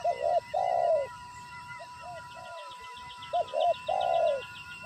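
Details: Spotted dove serving as a trapping decoy after seeing a wild bird: loud low coo phrases ending in long notes, with softer distant coos between them and fine rapid chirping higher up.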